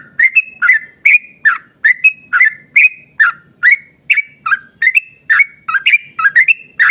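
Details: Yellow-vented bulbul song played to draw other bulbuls into singing; a long, lively run of bubbly whistled notes, alternating dipping and level tones at about two per second, faint low rumble beneath.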